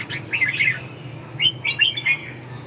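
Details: Red-whiskered bulbul singing two short bursts of bright, warbled whistled notes, quick rising and falling phrases with a pause of about half a second between them, over a faint low hum.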